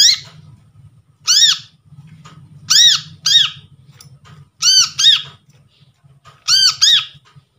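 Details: Newly trapped brown-throated sunbird used as a lure for birds gone quiet. Repeated bursts of paired, arched, ringing notes roughly every one and a half seconds, with a steady low hum underneath.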